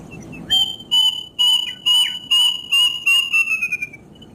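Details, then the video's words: Whistling series from a plaintive cuckoo, a bird connected with death in folklore: about nine sharp notes, speeding up and running together as the pitch eases downward, then fading into quiet hiss. "suara burung kedasih"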